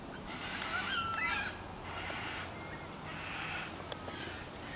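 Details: Wild black cockatoo eating banksia seeds, in Sydney, giving three harsh, drawn-out, wailing calls about a second apart, over a soft outdoor background hiss.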